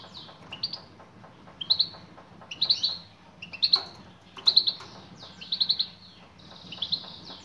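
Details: European goldfinch hen calling out to a male. Quick clusters of sharp, high twittered notes repeat roughly once a second in an uneven rhythm, over a soft background hum.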